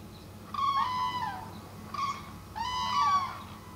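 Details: Common crane in Norway near Reinsvoll, July 2015: three loud, rolling, trumpeting calls with rich harmonics, the first and last each about a second long and a shorter one between, over a low steady rumble.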